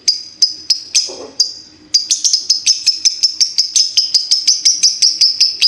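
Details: Repeated piercing high chirps from a fighter lovebird, first slow and spaced, then quickening to about four a second, over a faint low hum and a brief rustle.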